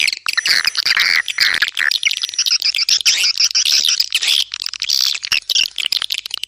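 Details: Swiftlet calls, high twittering chirps in quick irregular bursts with short gaps, a faint thin whistle tone above.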